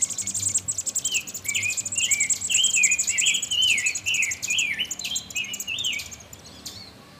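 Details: Baby American robins begging as they are fed in a nest inside a satellite dish next to a porch: a rapid stream of very high, thin squeaky cheeps alongside lower, wavering chirps, about two per second, fading toward the end.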